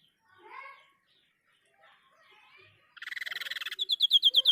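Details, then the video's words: Soft faint chirps and murmurs, then a white-breasted babbler begins its song with a dense buzzy rattle that turns into loud, evenly repeated whistled notes, cut off mid-phrase. "Tembakan burung sniper gacor"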